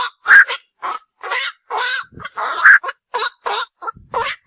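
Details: Night heron: dense run of short, harsh, croaking quok notes in quick succession, some overlapping as if several birds call together, with no other clear sounds.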